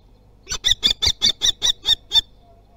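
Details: At Théding in France on 24 June 2020, young common kestrels practising wing flaps give nine loud, harsh, evenly spaced kee-like notes in under two seconds against a quiet background.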